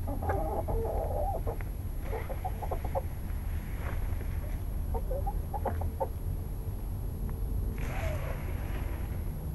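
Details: Hens in a chicken coop at night, settling to roost, with scattered soft clucks and short murmured notes in small clusters, followed by a brief harsher squawk, all over a steady low hum.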